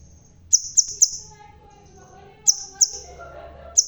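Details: Crimson sunbird, bald yet singing actively, delivers a run of three piercing high chips, a pause, then two more and a final single note; faint murmur beneath.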